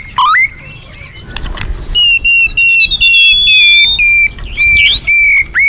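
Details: Loud, energetic magpie-robin song used as a lure for other birds: varied whistles, sliding notes and rapid chattering trills, shrill and piercing, with background hiss.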